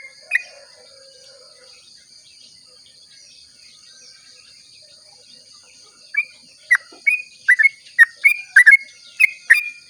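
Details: At dawn a sooty-headed bulbul gives its long 'ropel' song, used to coax other bulbuls to sing; a lone note, six quiet seconds of insect hum, then a rapid string of bright slurred whistles.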